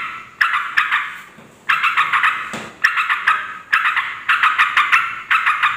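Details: Harsh yellow-vented bulbul chatter for luring and provoking other bulbuls; after a quiet start, sequences of rapid scratchy notes come in clipped bursts with brief gaps.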